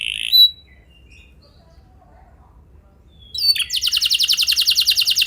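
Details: Canary training song meant to prompt other canaries to sing: a brief high whistled note, about three seconds of near silence, then a fast, even rolling trill of rapidly repeated high notes.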